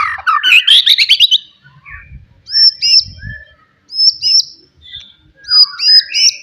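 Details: Forest white-rumped shama, loud song to goad rivals: an opening burst of rapid rising chattered notes, then a short high clipped motif repeated three times with gaps, mixed with softer lower whistles.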